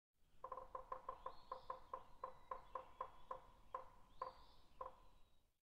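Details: Woodpecker; pecking; feeding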